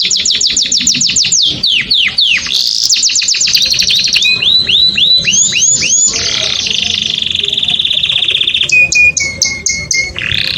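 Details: Canary singing to stimulate females for mating: fast repeated trills and rolls, downward-sweeping whistled notes, bubbling rising phrases, then long steady whistled notes and sharp high chips toward the end; loud and continuous.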